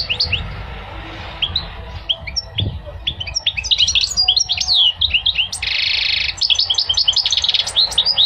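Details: Goldfinch song: a lively, rapid twitter of bright chirps and quick rising and falling whistles, with a dense buzzy, nasal passage partway through and more tinkling notes after it.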